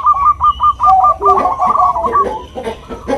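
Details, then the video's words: Bangkok-type zebra dove, a female calling to the male with the nutut sound; rapid staccato cooing notes repeated over two or three seconds, overlapped by other doves calling lower and in mixed rhythm. "Suara Perkutut Bangkok Suara Merdu"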